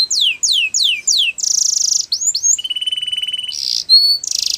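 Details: Canary song for teaching young canaries: slow, loud down-swept whistles, then a buzzy roll, rising slurs, a low rapid trill and a pure high note, ending in harsh buzzy bursts.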